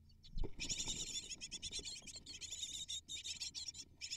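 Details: Great tit nestlings, eight in the nest, begging while being fed; a dense, continuous chorus of high chirps, with low thumps and rustling near the start, likely a parent arriving.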